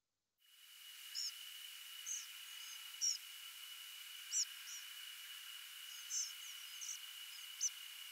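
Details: A group of European Pied Flycatchers on nocturnal migration over Tarnos in late August 2023 give short, high, buzzy, trembling rasps about a second apart over a steady thin whine.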